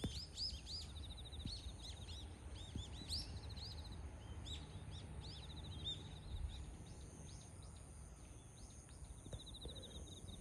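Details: Azure-winged magpie calls recorded on 29 September 2024: a burst of short, sharp, rising and falling chirps clustered in the first four seconds, then a few scattered notes, over a steady high insect trill and low background rumble.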